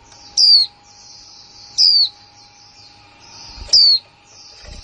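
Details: Kick mộc là líu calls of a new female white-eye, 2020. Three high, piercing, downward-slurred notes arrive roughly one and a half seconds apart over a steady hiss and low hum.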